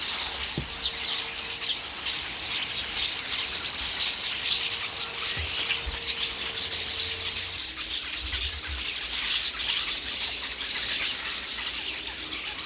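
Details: Flock of common starlings descending loudly on a pear tree, quarrelling as they peck pears, a daily event; a steady wall of shrill chatter and squeals, with a faint low thump partway through.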